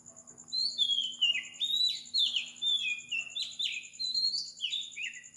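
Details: Early morning song of an Oriental magpie-robin in Sri Lanka, recorded at 4 am: a busy string of falling whistled notes and slurs, with insect trilling and low background hum.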